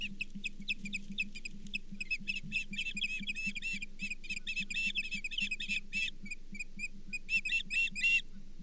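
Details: Osprey calling at the Charlo nest, 24 April 2023, while a brown bullhead is shared; quick, uneven runs of thin whistled chirps, quieter at first and then building, over a steady low hum.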